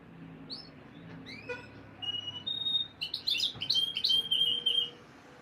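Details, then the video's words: Canary song for breeding conditioning to encourage female mating readiness. Isolated rising whistles come first, then a lively phrase of chattering notes and a sustained steady whistle, all high and clear over a faint hum. "Canary Breeding Conditioning Audio — Boost Your Female’s Mating Instincts"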